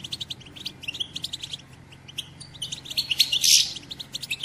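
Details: Female European goldfinch batbata chatter, used to stimulate males to sing and mate: quick high twittering throughout, swelling into a loud harsh burst near the end.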